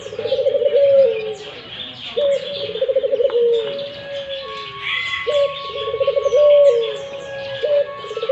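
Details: Repeated cooing of a Barbary dove. Each phrase starts with a sharp rise, trembles through a rapid rolling stretch, then settles into a long steady tone. A thin whistle and scattered chirps from other birds run in the background.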